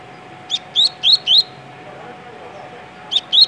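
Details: Tui-tui song of a double-collared seedeater (coleiro) kept in Rio de Janeiro, Brazil: four bright rising whistled notes, a pause of nearly two seconds, then two more matching upslurs.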